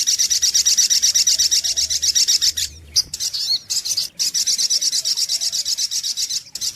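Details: Sunbird lure recording: rapid, high, sharp chirps repeated in steady bursts, about two to three per second, with two brief pauses broken by lone squeaky notes before the fast chattering series resumes.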